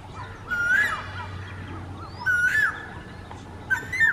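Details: A male Asian koel (Eudynamys scolopaceus) calls with loud, clear whistled notes that swoop upward, three in quick succession about every one and a half seconds, over a low steady hum.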